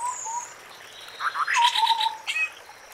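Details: White-browed scimitar babbler calling in forest, a short low whistle at the start and then a longer wavering hoot, overlapping a burst of brighter chattering from other birds.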